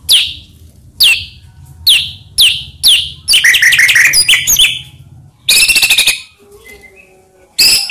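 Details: White-rumped shama singing as a lure to stir other shamas: sharp down-slurred notes about every half second, a rapid tumbling run of whistles, a buzzy burst and a final bright note.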